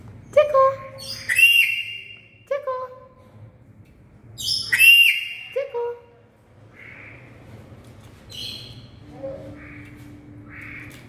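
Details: Black-capped lory giving very loud calls: harsh, harmonic-rich squawks and shrill whistled notes in bursts of two or three, separated by pauses, followed by softer, shorter notes over a faint low hum.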